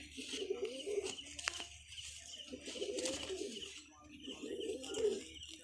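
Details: Domestic pigeons of local and foreign bloodlines cooing indoors: three rounded, throaty coo phrases rising and falling, each about a second long with short gaps, and a background of high chirps from other small birds and faint clicks.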